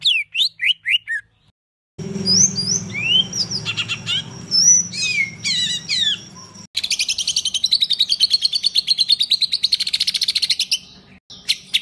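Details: Songbird master recording in the rough "tembakan kasar" style, used to teach competition songbirds: sharp whistled notes, a cut, varied slurred whistles over low hum, then long rapid trills of fast-repeated high notes.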